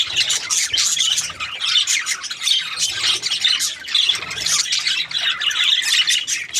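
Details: A busy budgerigar flock: shrill overlapping chirps and scratchy warbles pour out continuously, with a few clearer whistled notes standing out now and then.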